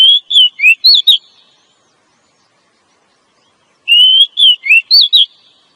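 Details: A female Oriental magpie-robin, used to draw males into singing and breeding mood, repeats the same phrase twice: a long whistle then four fast twisting notes, with about two and a half seconds of silence between.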